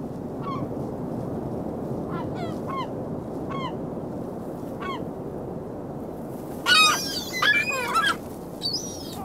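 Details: Gulls calling on a beach on 27 February 2016 at 19°F in winter: repeated short, harmonic, downslurred yelps, then a louder cluster of overlapping squealing cries near the end, over steady broadband surf-like noise.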